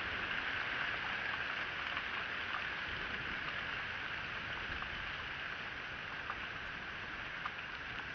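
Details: Continuous rain-like patter and broadband hiss fill the recording throughout, with no calls from any animal.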